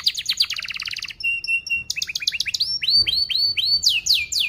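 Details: Lure song for young canaries: rapid chattering trill, a brief steady whistle, then rolled phrases of rising and falling whistled notes delivered in quick succession, ending in loud downslurred sweeps.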